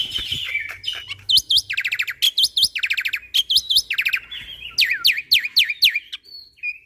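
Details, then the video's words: Energetic jalak putih (black-winged myna) song filled with shot-like bursts for training birds: repeated sharp upswept whistles interleaved with fast rattling buzzy trills, ending in scattered squeals. "Jalak Putih Super Gacor Full Isian Tembakan Bikin Jalak Lain Panik - Masteran Burung Jalak"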